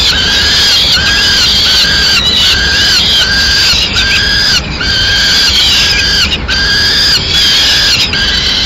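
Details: Repeated clipped wailing cries at a peregrine falcon nest in Madrid, 6 May 2016, where the female delivers a pigeon; notes roughly every half second, steady and even, over hissing background.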